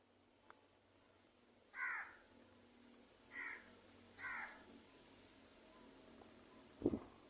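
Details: Angry crow calling: three harsh, hoarse caws, each about a third of a second long and spaced roughly a second apart, over a low steady hum, with a brief dull thump near the end.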